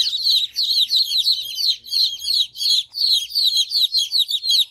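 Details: Chickens: baby chicks with their mother hen, free and playing and eating; a dense chorus of shrill, high peeps from many chicks overlaps in rapid bursts with brief gaps, with no clear hen clucking.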